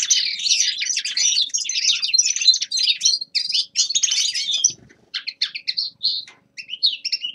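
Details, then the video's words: Winter warm-up song of a young male linnet, a dense fast twitter of high chirps and trills for nearly five seconds, then shorter clipped notes with small gaps. "Распевка Реполовов песня Carduelis cannabina birdsong"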